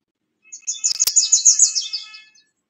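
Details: At a nest box being filled with nesting material, a Bewick's wren gives a quick, dry chattering series of about two seconds, with a sharp knock near the start.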